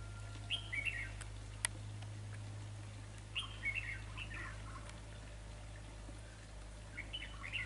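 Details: Red-whiskered bulbul used as a trapping decoy: brief chirpy warbled phrases in three spaced bursts, with a sharp click and a constant low background hum.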